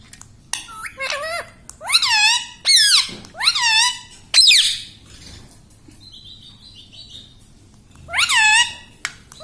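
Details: Pet parrot at home that is said to mimic words such as "mitthu" and "mummy". Loud harmonic squawks arch up and fall in quick bursts, several in a row, with a short higher whistle between them and a quiet room behind.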